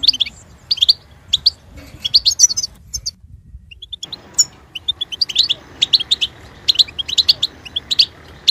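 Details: Singing goldfinch giving liquid twittering phrases, then a near-silent gap and a faint thin note before fast, tinkling chirp series resume through the end.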